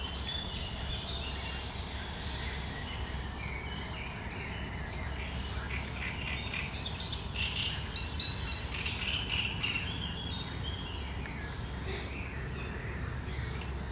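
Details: Great reed warbler, recorded 1 July 2020, delivering a long stretch of sharp, chattering song: harsh, scratchy phrases in quick succession, some notes higher and squeakier, with constant low rumbling noise underneath.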